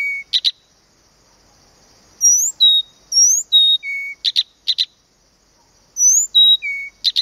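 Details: Song of Blyth's reed warbler, Planta, Podlaskie, Poland: a low level whistle, paired sharp clicks, then upswept high whistles and level notes, the sequence repeated after short pauses against a quiet background.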